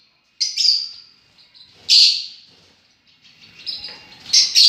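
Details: Shrill, piercing lovebird calls from birds described as enjoying themselves, in three separate bursts: a fading screech, a loud sharp squeal near the middle, and a cluster of overlapping high chirps at the end.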